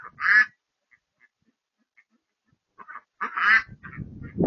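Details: Wood duck in a marsh giving two harsh, nasal quacks about three seconds apart, with a few faint clicks between and a brief rumble of noise at the end.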